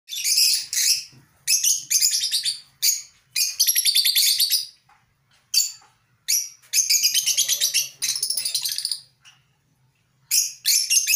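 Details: African lovebirds in a colony giving harsh, shrill chattering bursts, each about half a second to a second long, separated by short silences and rapidly buzzing.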